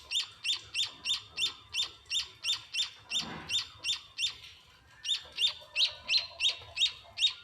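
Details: Munia chicks calling as they are hand-fed in a home: rapid, regular high chirps that pause briefly after a muffled rustle, then resume quickly.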